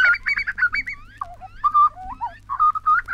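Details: Grey butcherbird in Australia, from a 1968 record of wildlife recordings, giving rich fluty song: quick whistled notes, downward slurs and looping rising phrases, with brief pauses between short bursts.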